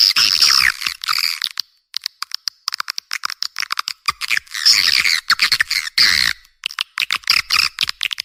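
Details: Edible-nest swiftlet calls played to attract swiftlets to a nest house. Bursts of harsh, chattering twitters alternate with fast, dry clicking runs, with short gaps in between.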